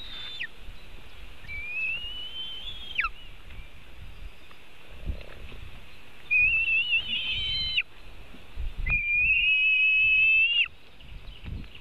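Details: White-tailed eagle at a nest webcam in Latvia, 4 July 2018 around 5:08 pm, as one eagle steals part of a fish from another: high, thin whistled calls in three drawn-out, rising then wavering bouts over low wind rumble.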